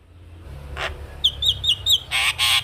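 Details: Javan myna singing and nodding, used to train young mynas; a soft rasp, four quick wavering whistles, then two loud harsh buzzy notes.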